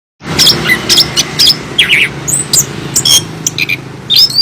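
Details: Chestnut-capped thrush, a songbird of Southeast Asian forests, calling loudly. Sharp, high squeaky chirps and short buzzy notes come in irregular bursts of about two per second over a low, steady hum.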